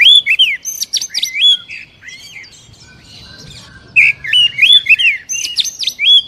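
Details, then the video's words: Oriental magpie-robin lure song for coaxing captive birds into song: two lively bursts of varied whistles, slurred loops and scratchy notes, separated by a quieter passage with soft background hum. "SUARA PANCINGAN BURUNG KACER AGAR CEPAT BUNYI DAN GACOR"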